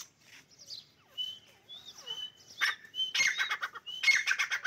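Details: Partridges fighting, with scattered thin whistled notes and chirps building into loud harsh, rapidly repeated bursts in the last two seconds.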